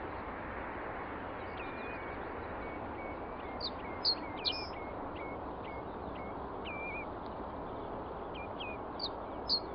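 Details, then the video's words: A Common Reed Bunting sings short, thin, chirpy notes in brief scattered bursts, half-buried under a steady loud rushing hiss of wind or water. "Reed Bunting singing"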